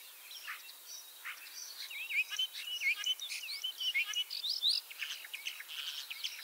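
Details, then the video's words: Common starling, ringed in Lithuania, at Liepāja, Latvia in spring 2023: a quieter song of chattering clicks mixed with short rising whistles and buzzy notes. "MĀJAS STRAZDS /Sturnus vulgaris/"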